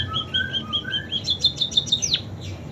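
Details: ['Munia singing with canary imitations: soft whistled notes paired with lower tones, building into quick rising-then-falling sweeps and a final high slurred note.']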